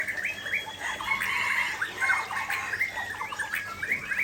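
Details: Lively Aceh white-rumped shama song close to a waterfall: rapid, bubbling sequences of whistles and trills repeated without pause, set against a steady hiss of falling water.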